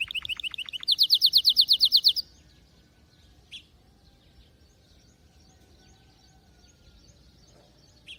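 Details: Canary song opens with quick pulsed notes and a loud, rapid trill lasting about a second, followed by near silence with a couple of faint chirps.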